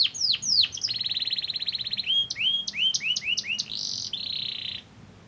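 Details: Varied canary lure song meant to stir other canaries to sing: quick downslurred whistles, a rapid rolling trill, bouncy upswept chirps and a final buzzy roll before falling quiet.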